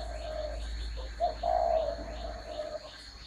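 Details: Spotted dove with low, mellow coos: a drawn-out note, a brief pause, then a wavering, slightly rolling phrase. Faint high chirps from other birds and a steady low hum sit in the background.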